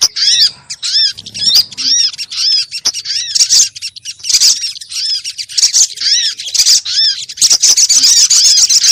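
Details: Sunbird calls used as a lure to draw birds in and set them singing: high arched chevron-shaped notes repeated rapidly several times a second, mixed with thin squeaks and crisp chips, growing busier toward the end.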